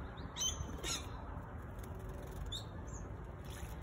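A singing honeyeater gives a few sharp, high chirps in scattered bursts over a steady low rumble of background noise.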